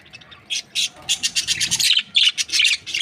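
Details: Chirping budgerigars from breeding pairs, an Australian parrot, deliver a fast scratchy chatter of closely spaced chirps, nearly three per second, building into a continuous twittering run.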